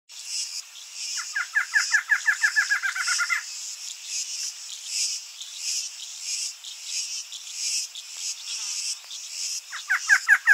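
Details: Barred antshrike (Thamnophilus doliatus) sings a fast, accelerating series of nasal, hooting notes over a steady insect drone.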